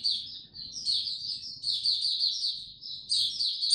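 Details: On 26 March 2022, in warm, very humid weather, a white-eye gives a running, high warble of blurred chirps, rising and dipping in volume, with soft low rumbling behind.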